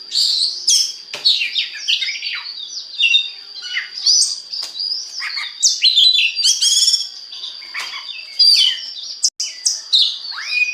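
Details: Oriental magpie-robin singing continuously as a lure to stimulate other magpie-robins to sing; a rich, dense stream of high whistles, sharp chips and slurred trills with a sustained high tone running underneath.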